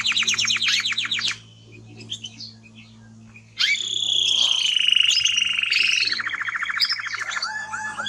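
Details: Male timbrado canary: a quick pulsed trill, a pause, then a long sustained ringing roll that shifts into rapid repeated notes and falling slurs; a low steady hum lies beneath.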